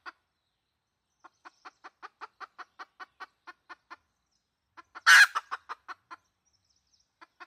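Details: Wild junglefowl lure call from 2020, a red junglefowl hen: soft clucks in a steady train, a single loud rasping squawk near the end, then the clucking resumes briefly.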